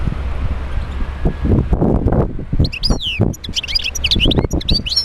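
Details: European goldfinch song meant to stimulate other goldfinches to sing. Low thumping rumbles fill the first half, then a quick run of high, liquid twittering notes takes over for the final two seconds.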